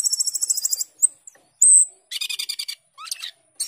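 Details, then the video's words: A captive Asian glossy starling sings vigorously: high, rapid buzzy trills broken by sharp whistled notes and harsh chattering bursts. "cucak keling gacor teler atau jalak keling gacor teler"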